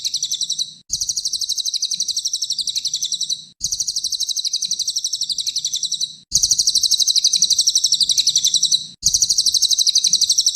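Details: Small minivet, locally cililin, delivering a tight 'tembakan' song meant to tutor other songbirds: four bursts of shrill, rapid chattering notes, each two to three seconds long, the last ones louder.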